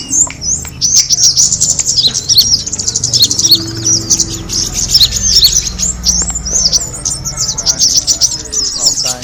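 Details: Lure recording of the kemade bird, used to draw in other birds. Rapid high twittering notes pile up continuously, thin sharp chirps crowding over a soft low background hum.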